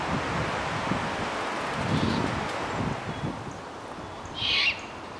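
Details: Great horned owl owlets, nestlings to fledglings, on a hilltop grove above Stow Lake, Golden Gate Park, San Francisco, at dusk: one loud harsh rasping screech near the end, preceded by a faint one, against low rustling and distant city hum.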